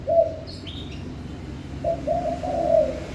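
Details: Spotted dove song: one short low coo, a pause, then a phrase of three rising-in-length mellow coos, with brief high chirps of other birds early on.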